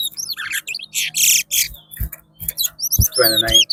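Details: Chestnut-bellied seed finch (twa-twa) singing in a twa-twa race at Rosehall, Guyana: quick bursts of sharp chirps and looping whistled notes, rising and falling, with loud high squawky phrases, low thumps and faint voices and music behind.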